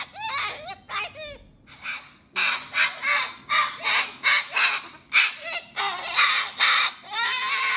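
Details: Pet cockatoo at bedtime, singing to avoid going to bed: opening rising-falling whistled notes, then a steady run of loud, harsh, rasping squawks about every half second, with faint talk in the background.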